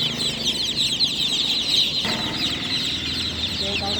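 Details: Many just-born chicks peeping loudly at night in a constant shrill chorus, with a low rumble and faint human voices underneath.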